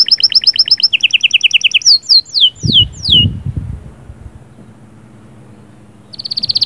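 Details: Canary singing sahsahat and batbatat phrases to get the female ready: rapid high trills switching pitch, four descending whistled sweeps, a pause with faint low background noise, then a renewed high trill.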